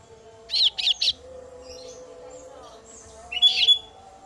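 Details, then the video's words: Female kasu-kasu chick calling its parent with a rapid run of three shrill chirps, a pause of about two seconds, then another short burst of high notes, over a constant low hum. "suara anakan burung kasu kasu betina memangil induk nya"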